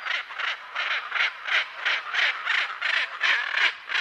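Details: Macaw uttering rhythmic harsh squawks, close to three per second, rough and nasal in tone.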